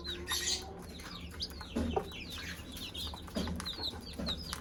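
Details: Mother hen calling her chicks to eat: a few low, short clucks among many high, thin chick peeps that fall in pitch, with steady low background hum.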